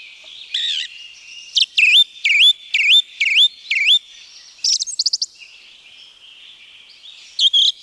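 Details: Song thrush singing in forest of Wielkopolski National Park, Poland: a clear whistled phrase that dips and rises, repeated about six times in quick succession, then a brief rapid trill and a final short phrase.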